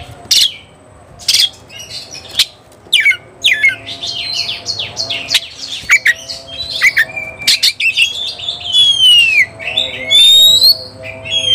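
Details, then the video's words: Agitated white-rumped shama seeking a rival, starting with sharp separated chips, then a flowing run of varied whistles ending in long clear downslurred notes. "kacer gacor cari lawan tarung"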